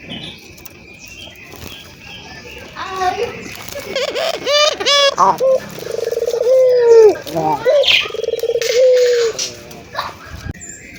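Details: Local Indonesian ringed turtle dove in full voice, played to stimulate other doves to coo: after a burst of varied sharp notes, long low coos rise briefly and then slide slowly downward, with harmonics above.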